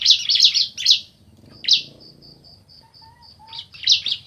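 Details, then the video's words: Male and female bar-winged prinia answering: a quick volley of high chirps, single loud notes, then a gap with a faint regular high pulsing tone before more chirps. "Suara Asli Ciblek Jantan Betina Bersahutan"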